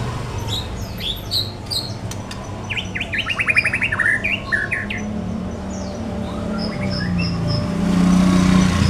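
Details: White-rumped shama song used as a lure to get other birds answering: quick runs of sharp, high chirps and rapid trills in the middle, over steady low hum and background noise.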